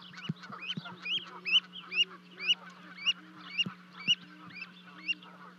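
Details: At a 30-foot-high nest in Charlo, Montana, on 12 May 2020, two Canada goose goslings leap down to join their parents, filmed by a livecam. High, thin, upward-sweeping peeps repeat about twice a second, with soft low calls and a steady hum.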